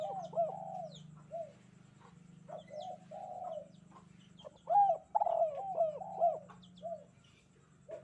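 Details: Spotted dove cooing on a bright morning: soft, hoarse arched coos with a longer drawn note, building to a louder burst of rapid repeated coos near the end, while faint high bird chirps and a constant low hum continue.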